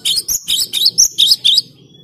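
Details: Gelatik batu (cinereous tit) singing loudly and clearly: seven quick high ringing double-note phrases in under two seconds, each dipping then rising, ending with one thin sustained whistle.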